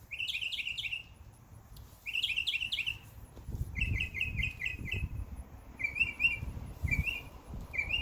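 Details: Birds in a summer backyard chirp in quick bursts: clusters of sharp, slurred notes repeated in short runs, then separate two-note twitters. A soft low rumble sits in the background.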